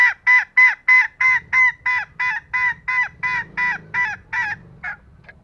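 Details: Female green junglefowl calling to lure lazy males into crowing: a fast series of about fifteen short, nasal, honking notes, roughly three per second, steady and even, fading slightly toward the end, with faint low rumble behind.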